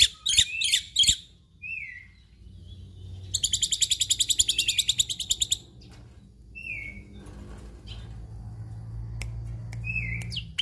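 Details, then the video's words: Black-winged myna in full, varied song packed with imitated phrases: three sharp chattering bursts, short falling whistles, then a fast buzzy trill of about fifteen pulses, followed by more scattered slurred whistles over a low hum. "Jalak Putih Gacor Full Isian"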